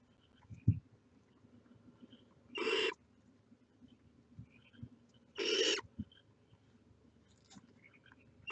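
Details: Barn owl chicks at the nest, heads poking out: harsh broadband hisses about a third of a second long, two in view spaced roughly three seconds apart, with faint chirps and low thumps between them.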